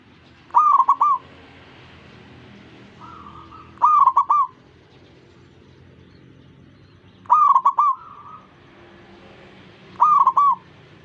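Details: Zebra dove song meant to get other zebra doves calling: four loud, stuttering coo phrases spread over eleven seconds, with quieter, smooth cooing replies from nearby doves slipping in between.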